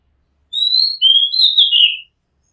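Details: Rooftop recording of an Oriental magpie-robin: one clear high whistle followed by a lower slurred whistle and a buzzy falling finish, delivered as a single phrase in a quiet setting.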